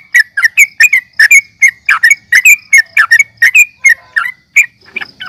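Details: Rapid, sharp chirps from a sooty-headed bulbul in fighting mode, about two or three notes a second, each a brief slurred whistle, easing off near the end.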